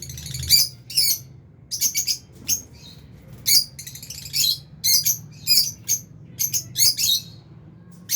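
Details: Albino and Fisher's lovebirds kept in an aviary around feeding time, giving repeated shrill, squawky chirps in quick irregular bursts, about two per second, with short quiet gaps and a faint low hum underneath.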